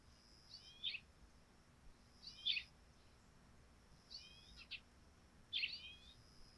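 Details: Sparrows on a dewy thatched roof in the morning: four short clusters of high, bright chirps, some with quick downward-sliding notes, spaced about one and a half seconds apart over a quiet background with a faint steady high tone.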